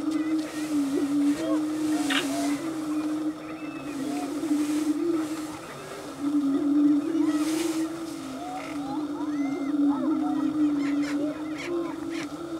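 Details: Prairie chickens performing a mating dance on a lek at Bluestem Prairie near Dilworth, Minnesota: an unbroken low, resonant booming hum from many birds, with frequent short rising whoops and cackling notes on top.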